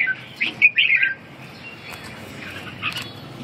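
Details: Short warbling phrase from a red-whiskered bulbul, a quick rising and falling flourish early on, then mostly quiet with a faint note near the end.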